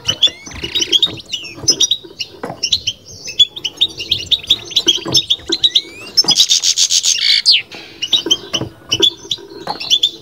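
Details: European goldfinch in a cage giving its bitbita song: quick liquid twitters and short slurred whistles in steady bursts, then a loud, harsh buzzing run midway, with soft dull bumps in the background.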